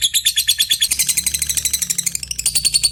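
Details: Rapid ngetik and ngekek calling from a lovebird answering a rival: a continuous stream of high, buzzy pulses, about ten per second, shifting slightly higher in pitch near the end.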